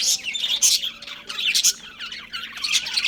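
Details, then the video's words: Budgerigar breeding pair at home, short bursts of sharp chirps and scratchy warbled notes with small gaps between phrases over three seconds. "Budgies Chirping Sounds"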